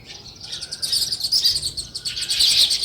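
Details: Short burst of sparrow chirping: rapid, pulsing high tweets from several birds overlapping, growing louder toward the end.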